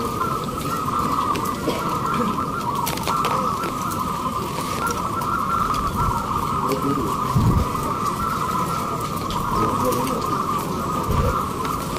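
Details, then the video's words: Caged local zebra doves competing in a national hanging-cage song contest in Indramayu, West Java; unbroken massed cooing fills the whole stretch, backed by low rumbling traffic and crowd noise with occasional thuds. "Lomba Perkutut lokal Gantangan Nasional JAWA BARAT"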